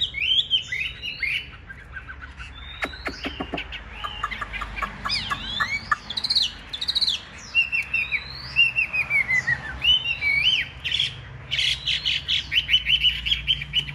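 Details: Big-bodied Chinese hwamei kept as a cage bird, performing in fighting spread display: rich varied song of looping whistles, sharp clicks, fast descending trills and rapid repeated chirps over fourteen seconds, clean and loud.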